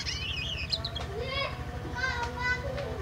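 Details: Captive black-winged myna, bought at a bird market and kept about a week, still in early, quiet practice song: a run of clear whistles and harsher, nasal chattering notes, rising and falling, over a steady low hum.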